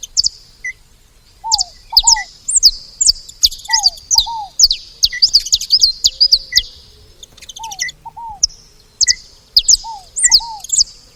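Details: Saffron finches at a feeding station, making a lively racket: sharp, high chirps in quick irregular bursts, with a repeated lower downslurred double note recurring every second or so.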